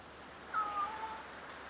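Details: Single meow from a crow perched above park trails in Richmond, B.C., Canada; a short higher tone sliding into a longer lower whistle-like note, clean and isolated.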